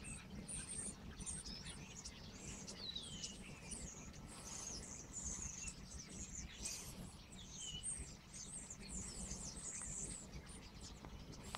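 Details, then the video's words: Birdsong in the Odenwald countryside around Erbach and Michelstadt, Hesse, Germany, on a late November day in 2023. Faint, high chirps and descending twittered notes come from several birds above constant low rumbling noise. "birds singing"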